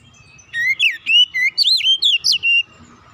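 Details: Oriental magpie-robin singing as a lure to make other birds sing. A loud burst of about eight rich, swooping whistled notes over two seconds, slurred up and down, set against a quiet background.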